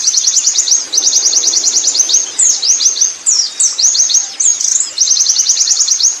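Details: Wild Oriental white-eye in ngerol style. Bursts of rapid, high chips alternate with sweeping slurred notes in an almost unbroken, rolling stream.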